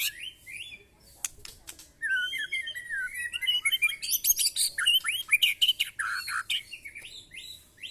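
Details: White-rumped shama in a mental test with neighbouring birds. A few clicks, then a rising run of fast whistled phrases and scratchy trills that grows louder toward the end.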